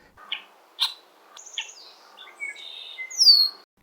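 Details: Red-winged Blackbird, a species where both sexes give harsh calls and piercing whistles: short harsh chucks and high thin whistles ending in a loud, piercing descending whistle.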